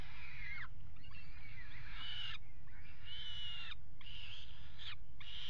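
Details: Peregrine falcons mating on the ledge of the Axel water tower nest box, 5 February 2018: harsh, drawn-out wailing notes, each bending downward at its end, in three long bursts over a constant low rumbling hum.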